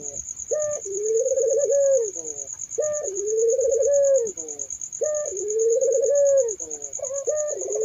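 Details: A Barbary dove repeats a soft coo: a brief high lead-in note, then a long level mellow tone, three times at steady two-second spacing, with a continuous high pulsing insect trill.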